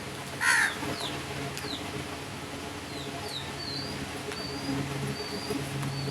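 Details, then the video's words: Crow giving a single short, harsh caw near the start, followed by thin, high descending chirps from small birds scattered through the rest of the recording over a steady low hum. "Crows sounds"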